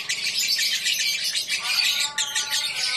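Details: A lovebird in a singing competition pours out a dense, rapid, high-pitched chattering song, shrill and buzzy throughout, with a few harsher squeaky notes near the end, over people's talk.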